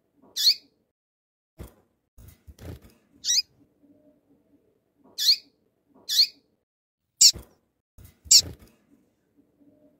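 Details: Double-collared seedeater (Sporophila caerulescens), female call: female calling to stimulate the male.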